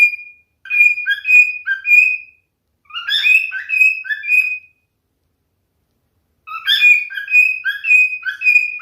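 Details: A singing male cockatiel gives three phrases of fluting, warbled whistles that step between low and high notes. The phrases are separated by pauses, the last after nearly two seconds of silence.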